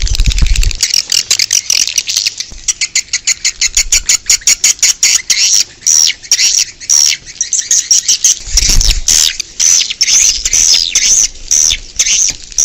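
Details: Swiftlet lure calls heard outdoors: rapid series of high, buzzy chirping pulses, about two per second, running steadily with a few brief low thumps near the start and middle.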